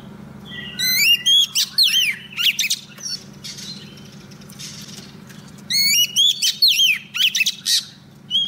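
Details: Oriental magpie-robin female used as a decoy, singing to attract a male: two bursts of rich whistled phrases with rising slides and raspy notes, separated by a quieter pause, over a constant low hum.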